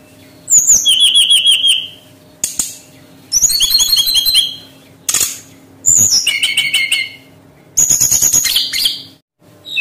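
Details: Brown-chested jungle flycatcher song used as a lure to get birds singing: bursts of rapid, high, warbled and trilled notes, each phrase about a second long, separated by short pauses and sharp clicks.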